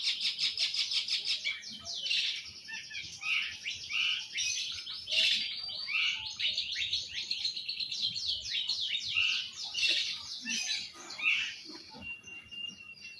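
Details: Long-tailed shrike, known as cendet, in vigorous continuous song: dense, fast jumble of scratchy chirps, harsh chatters and squeaky mimic-like notes, loud and unbroken throughout with no other sounds.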